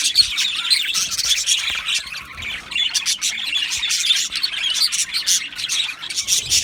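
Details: Budgerigars of an Australian aviary colony, 12 July 2025, chirping busily. Overlapping squeaky tweets and short squawks rise and fall in a crowded, high, rapid chatter, with faint low knocks.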